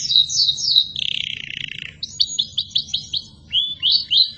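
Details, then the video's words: Gacor canary song for tutoring other birds and young canaries learning to sing: downward-slurred whistles, a buzzy rolling trill, then a series of quick falling chirps, about four per second. "Burung Kenari gacor || masteran kenari durasi panjang"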